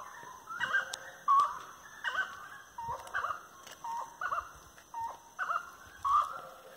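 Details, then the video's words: A Grey-cowled Wood Rail gives loud, hoarse, cackling phrases that rise and fall, repeated about every second, over a faint steady high hum; recorded along tree-lined paths at 18:30 on 25 March 2022. "Canto da Saracura 'Três Potes'"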